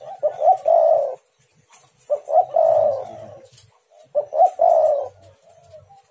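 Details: Spotted dove calling as a lure to provoke other doves into answering, three low cooing phrases about two seconds apart, each opening with clipped stuttered notes and ending in a drawn-out throaty coo, with a faint low rumble beneath.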